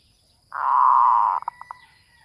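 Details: Lure call of a zebra dove, one loud, rolling, buzzy coo held for almost a second, followed by three or four short clipped notes.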